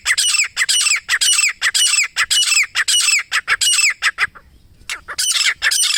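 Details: Grey francolin, known locally as teetar or gora teeter, calling in jungle: loud harsh rasping notes with rising inflections, repeated rapidly about twice per second, a brief pause near the fifth second, then resuming.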